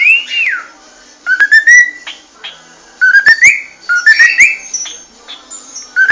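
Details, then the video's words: Cockatiel giving bright upslurred chirps in quick clusters, interspersed with sharp clicks and a swooping whistle, separated by short quiet spells. "صوت راءيع للطيور الكوكتيل"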